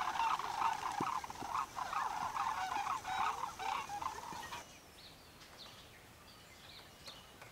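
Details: Sandhill cranes stopping during annual migration on the Pacific flyway, feeding and dancing in farm fields at Oregon and Washington refuges; loud rolling, pulsed bugling calls for about four and a half seconds, then a quiet field with faint distant chirps.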